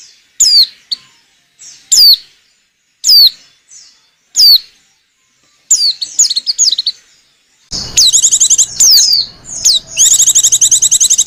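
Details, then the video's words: Female white-eye luring call: single thin, high whistles slurring downward about once a second, building into dense, rapid chattering trills near the end. "Burung pleci betina lenjeh manja pemikat burung pleci"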